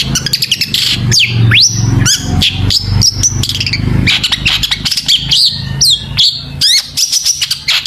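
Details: Long-tailed shrike in vigorous song packed with mimicked phrases, used as a lure to make other shrikes sing: rapid high chirps, sharp rising and falling whistles and buzzy notes in dense bursts over a low steady hum like traffic.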